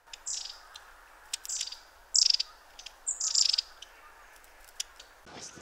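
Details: Long-tailed tits flitting nearby in late autumn in Poland; repeated buzzy rasping 'tsrr' bursts and thin high notes roughly every second, over a low steady background hiss with faint clicks.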